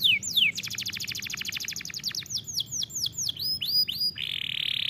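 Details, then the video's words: Canary singing for training young canaries, opening with sliding whistles, then a very rapid rolling trill of high notes that slows into looping downslurred phrases and finishes on a steady buzzy trill. "Este poderoso som de canário é adequado para treinar seu canário"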